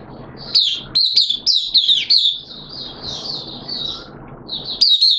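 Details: Oriental white-eye in a cage, singing after its second day of deworming treatment in September 2022. Loud, squeaky rising-falling chirps open the song, then a softer, flowing high twitter follows before a final strong burst.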